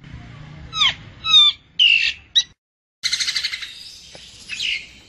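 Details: Common myna recorded as a bird-trapping lure; separate squawks and slurred whistles with falling tails, a short pause, then a rough buzzy chattering burst of rapid pulses.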